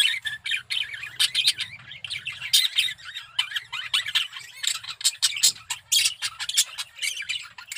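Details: Breeding-condition male budgerigar chattering steadily: a rapid stream of harsh squawks, clicks and warbled whistles, with a faint low hum running underneath.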